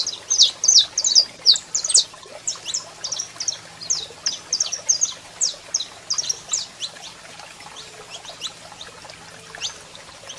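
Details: Male saffron finch sings as a female calls: strong rapid chip notes at first, becoming softer and sparser after several seconds, steady low hum in the background.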